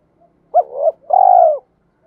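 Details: Spotted dove used as a training lure, mixed rural-field voice: one deep phrase, a sharp rising note sliding into a wavering coo, followed by a long, even, low coo that falls off at the end.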